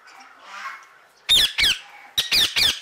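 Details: An Indian ringneck (rose-ringed) parakeet, happy to be outside its cage and calling to other birds, gives five loud, harsh squawks in two bursts, each a short grating screech with a rising-falling tone, over a faint indoor hum.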